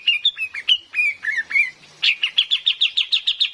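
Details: Female cream-vented bulbul used as bait to lure wild birds in the forest, with rain: a run of varied whistled chirps, then a rapid steady series of about twelve sharp repeated notes.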